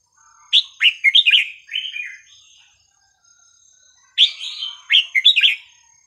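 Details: Red-whiskered bulbul singing melodious, non-repeating phrases for young birds to learn: two lively runs of rich, bouncing whistled notes separated by about two seconds of silence.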